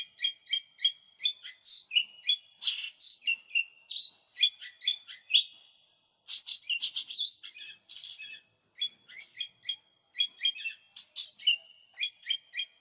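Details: Lesser green leafbird in full voice, a recording meant to lure and tutor birds: long sequences of evenly repeated high chips mixed with swooping whistles and dense warbled bursts, broken by one brief pause.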